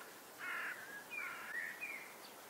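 Red-backed shrike giving three harsh, grating, scolding calls in about two seconds, the first longest, over faint outdoor background hiss.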